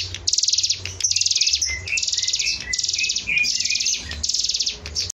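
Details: Lively hill prinia song for teaching caged birds: dry, buzzing high trills in quick succession, each followed by brief lower whistled slurs, with a steady low background hum throughout.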